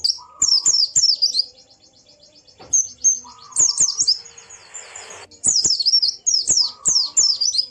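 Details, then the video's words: White-eye song meant to stir a silent bird into singing and opening its beak: rapid bursts of high, down-slurred twittering notes in short repeated phrases, with a steady low tone under some phrases and a brief hissing burst midway. "Burung Pleci macet pasti langsung ikut ngalas dan buka paruh"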